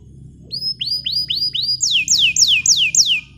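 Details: Bottle-green canary singing as a tutor for young canaries learning to sing: five or so rising whistled notes followed by louder, evenly spaced falling slurs about three per second.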